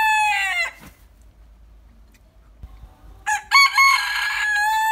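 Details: Đại kê rooster in Vietnam crowing twice, each crow a loud, harmonically rich drawn-out call with a steady, slightly wavering tone, separated by about two and a half seconds of near silence.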